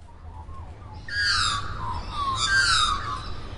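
A magpie gives two harsh, raspy bursts of chatter, each under a second, after a few soft whistled notes. A low rumble runs underneath.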